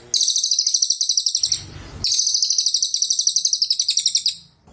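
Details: Two long, fast, pulsing high trills from a cililin, each nearly two seconds of rapid chattering beats with a short break between them.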